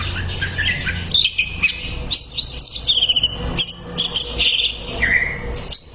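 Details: Greater green leafbird song used as a master recording for training, a busy stream of quick whistles, downslurred and upslurred notes and chattering trills, with a low background hum.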